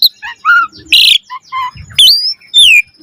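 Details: Varied chattering from an Asian pied starling: short whistled chirps, a harsh rasping burst and two long sweeping whistles, one rising and one falling.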